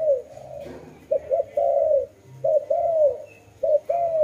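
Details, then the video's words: Dove cooing: phrases of two short notes followed by a longer, slightly falling coo, repeated about three times in a low, mellow voice, with faint background rustling. "Lovely dove/ lovey sounds"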